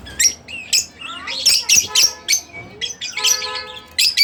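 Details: Split blue Fischer's lovebird pet giving harsh high squawks and chips at irregular intervals, some with a buzzy tonal edge, separated by short gaps.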